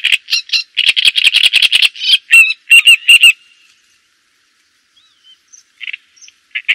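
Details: Java sparrow song, a fast burst of dry clicks and chattering notes with a few bell-like tones, lasting about three seconds before falling mostly silent, then brief soft notes near the end.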